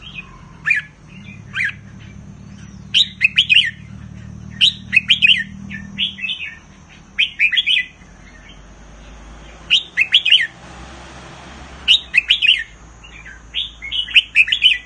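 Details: Thai caged red-whiskered bulbul singing repeated short phrases of clear, slurred whistles, each burst of three to five notes, delivered steadily across the recording with a quiet low rumble underneath.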